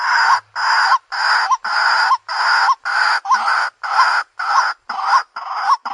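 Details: White-breasted waterhen lure call: harsh, broad croaking notes repeated about twice a second, each ending in a short rising squeak, steady and loud throughout.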